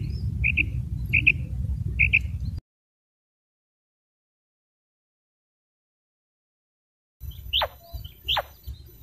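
A female common quail gives three short, high double notes about twice a second over low rumbling noise, then a break and two sharply falling whistles.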